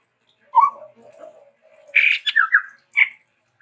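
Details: Chestnut-rumped babbler, a bird endemic to Sumatra, singing actively with varied phrases: a low warbled note, a soft murmuring stretch, then loud harsh squawky bursts and a short buzzy note near the end.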